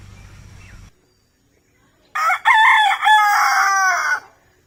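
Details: Rooster crowing: after a low rumbling hum fades and a short quiet gap, one loud harsh cock-a-doodle-doo bursts out, a brief opening note then a long strained, nasal, buzzy drawn-out phrase lasting about two seconds.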